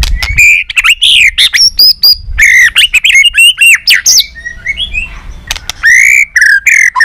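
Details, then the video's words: White-rumped shama singing competitively with tail flicking, continuous and many-voiced; dense run of loud rising and falling whistles, clipped notes and warbles, a brief softer twittering passage midway, then strong whistles again. "chòe Lửa đập đuôi hót đấu liên tục nhiều giọng"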